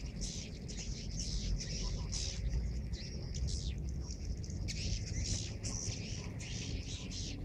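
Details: Swiftlets flying into a swiftlet building in Subang just after the call to prayer, with many birds still in view; bursts of shrill, buzzy chirps come in clustered runs above a constant deep mechanical hum.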